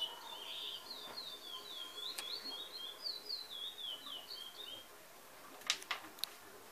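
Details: Chestnut-backed Tanager, a wild forest bird, recorded on the Sunday morning of 25 August 2019: high, thin twittering notes run together for about four seconds, followed by a few sharp ticks and faint background hiss.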